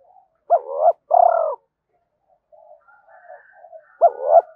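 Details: Cooing spotted dove, used to provoke wild doves quickly. A short rising note and a long, low, vibrating coo, then faint scattered murmurs, then another short coo note.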